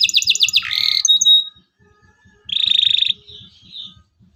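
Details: Local canary song meant to teach young canaries: quick repeated high chips dropping into a buzzy burst and a thin whistle, a pause, then another buzzy trill and fading warble, with low rhythmic thumps underneath.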